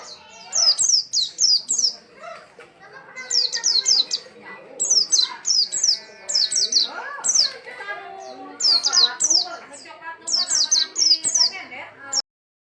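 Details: Oriental white-eye in energetic song: quick volleys of piercing, high, descending notes repeated in tight clusters every second or so, with people's voices in the background, ending abruptly.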